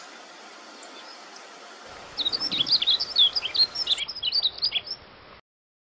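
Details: Female Yellow-throated Bunting giving a quick three-second jumble of high, thin chirps and twitters, several notes each second, over a faint background hiss.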